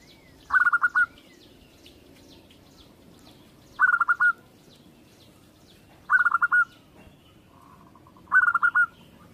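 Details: Local-strain zebra dove delivering four brisk, bubbling coo phrases of several rapid notes each, spaced roughly two to three seconds apart, against a quiet background.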